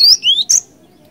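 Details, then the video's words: Cinereous tit song used as a lure, ngerol ngeplong style: one loud phrase of a high rising slur, a lower rising whistle, and a final sharp high note, then quiet. "Suara ASLI Glatik Batu Gacor Ngeeerool Ngeplong, 100% Ampuh Buat Pancingan"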